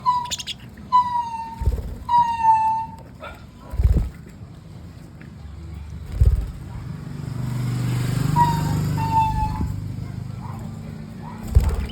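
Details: A pet green budgerigar gives short, clear whistled calls that slide downward, over a low rumbling background.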